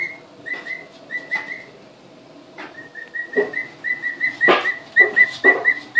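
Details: Emu chicks two weeks old, newly arrived and seeing the house for the first time: short whistled peep runs, a quiet pause, then a faster rising string of peeps mixed with sharp tapping knocks.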